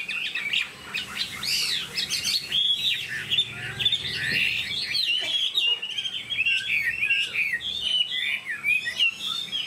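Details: Chinese hwamei kept as a caged songbird, delivering a busy, loud warbling song of mixed whistles, trills and harsh chatter, continuous for nearly ten seconds.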